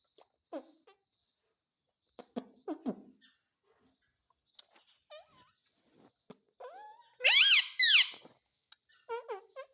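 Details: Ringneck parrot said to speak the words mummy and papa: scattered short clicks and soft notes, then a loud burst of stacked, chevron-shaped harmonic notes near the eighth second, followed by a few quieter bent notes indoors.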